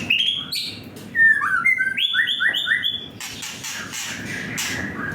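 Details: Agitated young white-rumped shama, a series of bright whistled notes stepping upward in quick repeated pairs, followed by harsh buzzy chattering toward the end.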